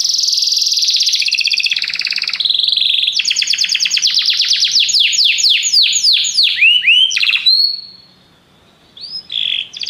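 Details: Canaries in chorus, singing together after music is played: a steady rolling trill gives way to rapid falling sweeps, a brief silence near the end, then a fresh burst of song.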